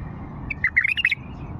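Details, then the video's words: Old Fawi bulbul song: a short phrase of clear, quick whistled notes around the middle of the clip, slightly rising then falling, over a steady low hum. "اجمل لغات بلبل فاوي قديم"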